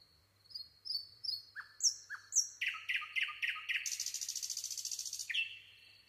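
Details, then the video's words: Singing nightingale: soft high whistles and slurred rising notes open the phrase, followed by loud repeated chopped notes and a long, rapid pulsing trill, finishing on a sustained high whistle; quiet surroundings. "nightingale singing"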